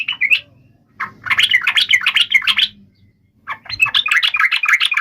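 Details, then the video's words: Yellow-vented bulbul giving an emotional fighting song meant to make other bulbuls answer. Bright, bubbly chattered phrases fall and rise, with two bursts of rapid notes separated by a short pause. "trucukan gacor TARUNG FULL EMOSI TAJAM ini ampuh MENJADIKAN agar burung trucuk gacor NYAUT SEKETIKA"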